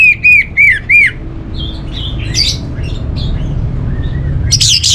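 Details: Orange-headed thrush: four loud, downslurred whistled notes open the clip in quick succession. Softer scratchy chatter and a burst of high notes follow near the end.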